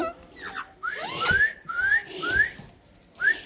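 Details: Pet parrot talking indoors; speech-like mumbling mixed with rising whistled notes, four clear upslurred whistles spaced about half a second apart.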